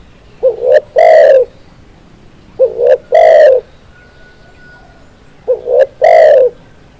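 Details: Spotted dove gives a loud cooing phrase: a short rising coo, a brief double note, then a longer, stronger coo, repeated three times about every 2.5 seconds against a quiet background.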